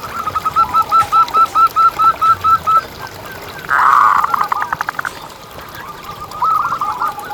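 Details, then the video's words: Local zebra dove song, meant as a lure to get other zebra doves singing: a quick run of short cooing notes at a steady pitch, then a louder rough burst of rapid notes. Faint chirps from other birds sit in the background. "Lokal Gacor Suara Paling ISTIMEWAcUntuk Pancingan Burung Perkutut Agar BunyiTerus"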